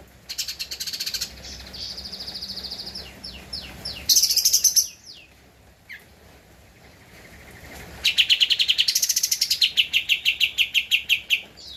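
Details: Javan white-eye singing steadily, recorded for training cage birds: long, fast, very high rattling trills of rapidly repeated chips, broken by a brief louder buzzy burst and a pause, then a loud closing trill.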